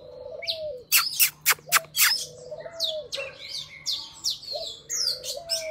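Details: Oriental magpie-robin forest song used to teach young birds and lure wild ones. Several sharp clicking notes come early, then repeated low falling whistles are interleaved with high chirps.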